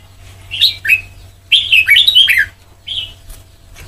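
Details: Red-whiskered bulbul, white-cheeked form, singing the Sông Kon style for voice training. A few clear chirps lead into a fast tumbling phrase of slurred whistles, followed by a single softer note.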